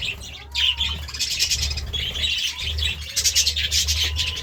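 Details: Morning chatter of budgerigars: a dense, unbroken stream of high, scratchy chirps and warbled notes with a few sharp clicks, over a faint low hum.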